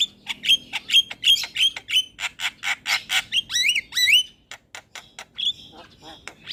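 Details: Starling song for stimulating caged starlings: a rhythmic series of sharp whistled chips, then dense harsh chattering with looping whistles and squeaky upslurs.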